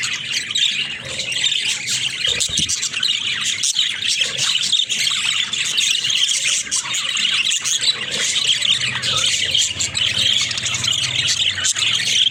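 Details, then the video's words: Playful caged budgerigars keep up unbroken high-pitched chattering, with overlapping squeaks, chirps and warbles and occasional clicks. "Watch These Happy Budgies Play in Their Cage"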